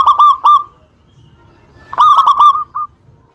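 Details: Local zebra dove in lively song, used to provoke an answering rival: two short phrases of three or four quick, clipped coos ending in a drawn-out trailing note, with a quiet stretch between them.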